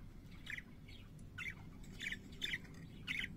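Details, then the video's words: Pet parakeets singing, giving short scratchy chirps and raspy chattering notes about every half second over a low steady background hum. "Singing Parakeets"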